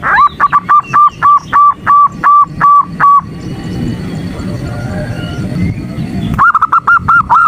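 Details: Female zebra dove calling a male, used to provoke the male, recorded as a morning session. Short, steady, nasal notes repeat about three times a second, broken by a few seconds of rustling noise before the notes resume.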